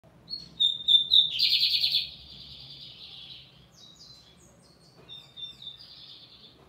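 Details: Lined seedeater singing firmly: a few clear, high whistled notes run straight into a loud, rapid buzzy rattle lasting about half a second, followed by a softer, quieter repeat of whistles and buzz.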